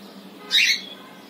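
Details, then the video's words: A single brief scratchy screech from a cockatiel spending time on a balcony, rising and then falling back, set against a faint steady low hum. "Cockatiel having good time in a Balcony"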